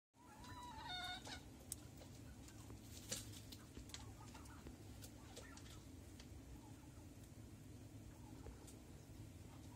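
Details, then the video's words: Rooster crowing from five in the morning: one short harmonic crow near the start, then steady low rumbling background noise with scattered faint clicks. "Səhər saat 5-dən xoruz banlayır"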